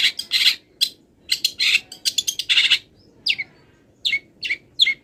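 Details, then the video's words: Long-tailed shrike, not yet through molting, singing a mimicry-rich song: a dense scratchy chatter followed by sparse, clear down-slurred whistled notes. "MASTERAN CENDET FULL ISIAN BURUNG LIAR"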